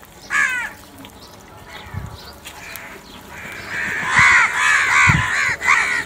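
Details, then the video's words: Crows fighting over food, a single early caw, then a rapid rattling series of harsh caws bunched together, with low thumps in the background. "Crow Fight Video | crow love food | crow fighting scenes video | crow sounds naturally"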